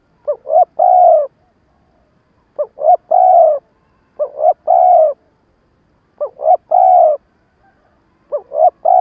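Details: Decoy spotted dove delivering a stammering coo to draw wild doves. Five phrases, each two brief upward hoots and a longer, even coo, with pauses of one to two seconds and no background noise.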